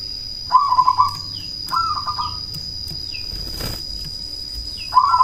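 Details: A loud cemani zebra dove used as a lure to make rivals respond and to raise breeding drive gives brief rolling, trilled coos separated by pauses, with a thin steady whine and a soft whoosh of noise.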